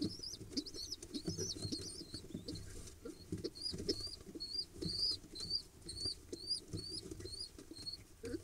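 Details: Pigeon nestlings from a second clutch, hatched early October 2021, begging excitedly at feeding time on 15 October 2021: quick series of shrill, up-and-down squeaks, about two per second, over steady rustling and pattering.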